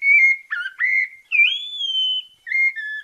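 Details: 'Santa fé' song of a Bahia sabiá-parda thrush, Brazil: a level whistle, two quick warbled notes, then a long high fluting note held steadily before a pair of lower, softer whistles.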